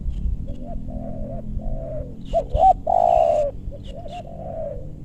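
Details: Spotted dove at a luring spot in a meranti forest, West Bogor, Indonesia; gentle repeated wavering coos, then two quick rising notes and one long, powerful falling coo, with fainter cooing continuing afterwards.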